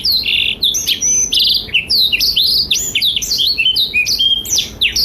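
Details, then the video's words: Black-throated canary (blackthroat) in vigorous, nonstop song, played as a tutor recording for young and adult canaries. Rapid, varied twittering with sharp rising and falling whistled notes and short trills, briefly pausing between bursts, over a faint background hiss. "Blackthroat Gacor Masteran Terbaik untuk Kenari Paud dan Dewasa"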